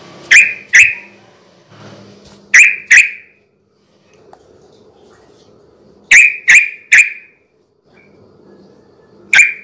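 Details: Scattered single sharp, bright notes from a yellow-vented bulbul, in pairs and a quick triplet, separated by quiet gaps with a faint low hum. The recording is meant to attract other bulbuls at night.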